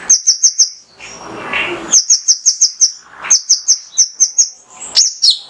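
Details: Male mangrove whistler singing, used as a lure to stir caged birds into song: bursts of four to five sharp, high, clipped whistled notes in quick series, interrupted by a brief rushing noise.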